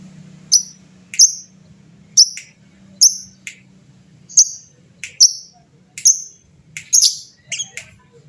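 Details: Lovebird fighter calling in gacor style to provoke answering song: crisp high downslurred chirps, about seventy a minute at uneven spacing, some doubled, in an otherwise quiet room.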